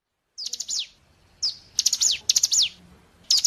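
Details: Bar-winged Prinia song played to lure birds into answering. Fast rattling phrases of shrill, stacked descending notes alternate with single sharp downslurred chips, all very high and energetic.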